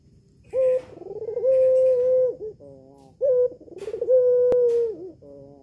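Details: Red-eyed albino Barbary dove kept at home, its call used as a lure to make a male answer. Two rounds: a sharp opening note, a rolling stutter, then a long steady coo, separated by a flat, nasal, buzzy tone.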